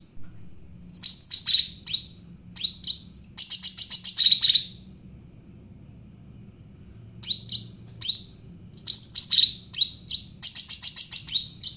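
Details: Javan bulbul, a cucak ranting, singing steadily and used as a lure to train other birds: bursts of sharp high chirps and down-slurred whistles in two long phrases split by a four-second pause, over a constant thin high tone.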